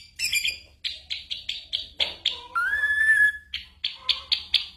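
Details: Mimicking ashy drongo whose repertoire includes gunshots and bird calls, used to train moulting white-rumped shamas; short sharp notes repeated about every quarter second, broken by a rising whistled glide.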